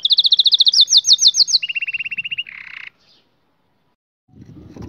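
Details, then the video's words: Young canaries' training song from a canary: quick high trill, slower clipped notes, then a lower steady roll and a rasping tour before the singing stops, leaving near silence and faint noise. "Canary 's most powerful song for training 2022 اجمل تغريد لتعليم فراخ الكناري"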